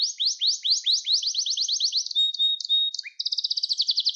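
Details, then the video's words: Singing canary used as a training model for young canaries: a fast series of falling rolled notes, a held whistle and short chips, then a quick rattling trill. "Kanarya Sesi Ötüş Eğitimi 2021 | Kanarya Ötüşü ve Ötüm Eğitimi"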